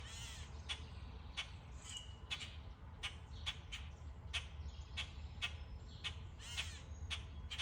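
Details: Birds chirping among trees in summer: short, sharp calls repeated about every half second, some harsher and drawn out, over a steady low rumble.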